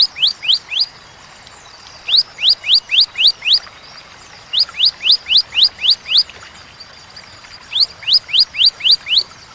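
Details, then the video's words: Bar-winged prinia delivering clear, paused 'tembakan' phrases: short groups of four to six sharp, upward-sweeping notes, repeated with gaps of about a second. "Tembakan ciblek ciwah cigun sadis pedas jernih berjeda"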